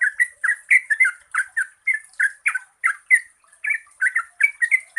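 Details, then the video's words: Yellow-vented bulbul lure song meant to stir quiet birds into singing: quick bubbly two-part notes in a steady, lively stream, with a brief pause near three and a half seconds. "Pancingan Trucukan Gacor Ropel Panjang COCOK untuk BURUNG TRUCUK MALAS BUNYI"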